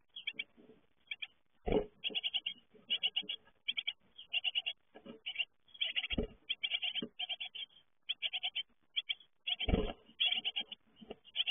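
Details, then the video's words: A brood of young great tits fledging from the nest, calling in rapid trains of sharp, high chirps repeated in quick groups throughout, with three low thuds of movement. "Uitvliegen koolmeesjes"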